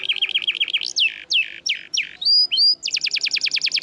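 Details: Canary song serving as tutor material for silent canaries: a wavering warbled phrase, several steep downward slurs, two rising notes, then a fast, high repeated trill.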